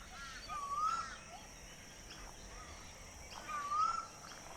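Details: A male Pacific Koel, which calls September to February, at Hinterland Regional Park, Gold Coast, Australia, gives two loud, rising whistled notes about three seconds apart over a soft rural background hiss.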